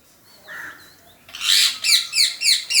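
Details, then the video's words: Parrot making funny noises: a soft whistle, then a loud burst of harsh, high, squawky chirps repeated about every half second. "Parrot making funny noises"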